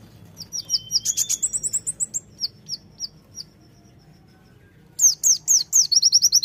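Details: Konin-type Sunda white-eye singing vigorously in the tembakan style: a run of rapid, high, thin chirps at about three per second, a pause, then a fresh burst of sharper, faster, downslurred notes.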